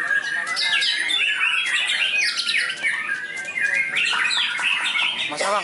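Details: Trained white-rumped shama at a contest field, a continuous song of luxurious fill-ins: sharp chirps, whistled slurs and rattling trills, closing with a quick, rising-and-falling warble.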